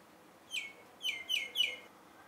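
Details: Common myna recorded with a camera and telephoto lens: one clear downslurred whistled note, then three more in quick succession, each dropping sharply in pitch, against quiet background.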